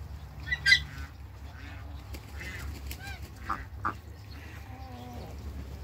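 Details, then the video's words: Loud, harsh honking quacks open, then several nasal calls follow with gaps between them, made by four Pekin and hybrid mallard ducks meeting each other. A low background hum continues. "MEETING FOUR DUCKS BEKIN & HYBRID MALLARD DUCKS"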